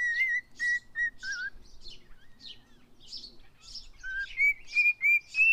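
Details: A male pet cockatiel (Nymphicus hollandicus) whistles its learned tune "If You're Happy and You Know It" in clear, steady notes, mostly level and a few rising, with scratchy chirps between phrases.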